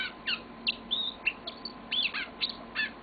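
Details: Pet yellow-fronted canary singing indoors: a string of short, bright chirps and quick upward sweeps, roughly two to three notes per second, with faint steady background hum.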